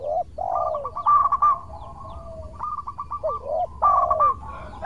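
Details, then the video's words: Lure song of a lively local zebra dove that prompts rival doves to call back: bursts of quick clipped notes mixed with swooping, downslurred coos, repeated in three phrases. "Perkutut Lokal Gacor Suara Merduk Cocok Buat Pancingan - Bikin lawan langsung Nyaut!!!"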